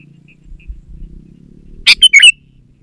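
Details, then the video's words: Sooty-headed bulbul giving a brief burst of bright, liquid whistled notes, about four quick phrases in under half a second, after faint low rumbling; used as a lure to prompt bulbuls in a garden to sing. "Suara Burung KUTILANG GACOR"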